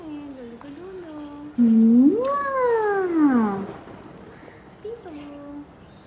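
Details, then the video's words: Seven-month-old male pet Alexandrine parakeet talking after waking in the morning, voicing happiness with loud, voice-like incomplete words: drawn-out tones that swoop up then slide down, with softer murmured phrases and a faint hum. "Parrot Talks In The Morning"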